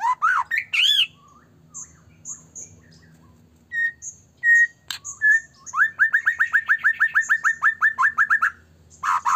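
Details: White-rumped shama singing vigorously as a lure to provoke rival shamas to sing and grow agitated: rich swooping phrases, thin high whistles, then a rapid run of about eighteen identical rising notes, and a final loud burst.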